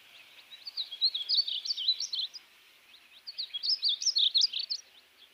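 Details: Painted bunting singing: two bright, high warbled phrases of quick, jumbled twittering notes, each lasting about two seconds, with a short pause between them and a quiet background.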